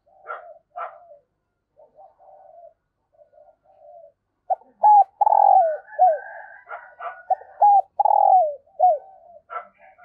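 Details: Early-morning spotted dove decoy cooing to attract wild doves. Scattered soft notes at first, then a loud sequence of clipped coos and a long rough, falling coo, repeated in a quick phrase, with faint higher chirps in the background.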